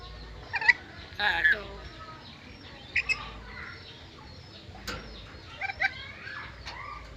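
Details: Talking black-capped lory, an Indonesian endemic raised by a breeder, between spoken phrases. Short harsh squawks and whistled chirps come in spaced bursts, with a sharp click near the middle and a downward slurred note late.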